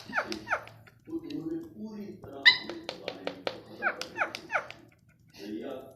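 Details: Talking pet rose-ringed parakeet indoors, uttering rapid speech-like phrases of sharp, falling chirped syllables and a loud squawk, interleaved with a person's murmured voice and brief quiet gaps.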